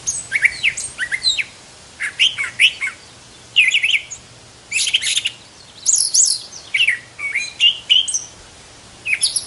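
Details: Brown thrasher singing, a bird said to have 1200 song types: bursts of varied, chirpy, slurred whistled phrases, often in pairs, separated by short pauses, with a clear rich high-pitched tone throughout and a quiet background.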